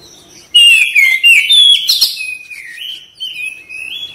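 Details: Oriental magpie-robin singing gacor: sudden loud clear whistles, falling and rising slurs, then softer drawn-out whistled notes trailing off.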